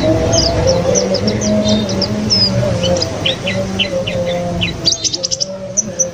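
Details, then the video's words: ['White-eye from a bird trader, singing after three days at home; a rapid chain of high thin chirps ending in a fast rattling burst, with steady low humming tones and traffic-like noise behind.'] "PLECI baru 3 hari di rumah langsung GACOR"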